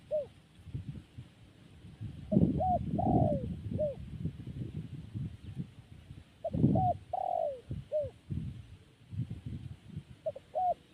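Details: Zebra dove cooing: phrases of quick, soft, gently rising notes and a drawn-out falling coo, repeated several times, mixed with loud low rumbling and clattering background noise.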